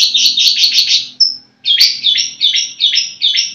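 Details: Caged long-tailed shrike (cendet) singing a fast run of harsh, buzzy chattering notes, a brief thin whistled note in the middle, then a short gap before more chattering in quick bursts.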